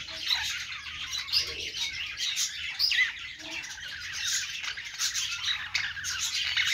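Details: Pet budgerigars on a perch keep up a lively warble: quick rising squeaks, chattering trills and a few clearer whistled notes around three seconds.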